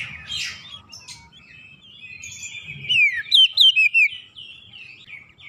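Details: Oriental magpie-robin (kacer), lured once from silence into spirited gacor singing: soft rustling and faint notes at first, then a loud cluster of quick descending whistles and short chips near the end.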